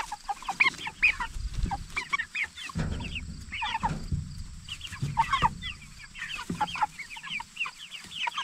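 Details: A flock of 44-day-old jumbo Cornish Cross meat chickens gives bursts of shrill, quick chirps in clusters, separated by short quieter gaps with low bumping sounds.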